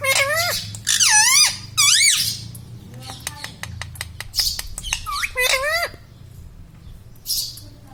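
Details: Pet talking parrot mimicking human words like "Mummy", "Papa" and "Mitthu" indoors: loud wavering squawky speech-like phrases, a burst of sharp clicks in the middle, then a final raspy note.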